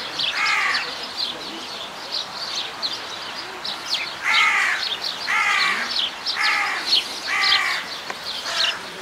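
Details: At Zoo Leipzig, Germany, a Himalayan monal utters a series of six short, harsh, ladder-like harmonic calls spaced roughly a second apart, amid constant thin chirping from many smaller birds.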